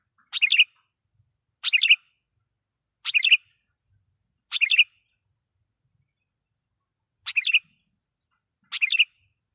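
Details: Repeated loud sooty-headed bulbul lure phrases to provoke wild birds; six brief bubbly bursts at uneven intervals of about one to two seconds, clean background.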